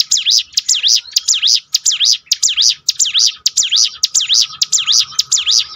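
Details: Rhythmic bar-winged prinia song played as a training lure to revive a bird's confidence: ringing V-shaped chirps, about two each second, clean and high over a quiet background.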